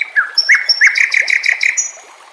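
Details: Training song of the white-rumped shama (murai batu) over natural background: a few rising whistled slurs, then a quick run of about eight evenly spaced rich notes, finishing with a thin high whistle.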